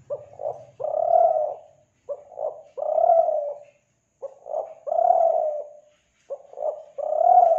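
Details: Spotted dove from Kelantan, used as a lure for doves, giving soft, low coos. Each phrase is a short stuttered pair of notes followed by one longer, drawn-out coo, repeated about every two seconds.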